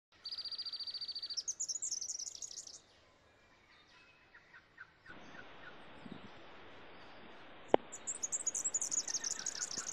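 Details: Nesting rainbow lorikeets give shrill, buzzy, rapidly trilled screeches in two bursts, at the start and end, with a steady background hiss and a single sharp click between.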